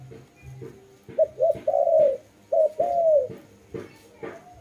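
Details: Dove cooing: soft, low, hooting notes that rise and fall, several drawn-out coos in quick succession with short gaps, over a faint low hum and some background noise, apparently indoors.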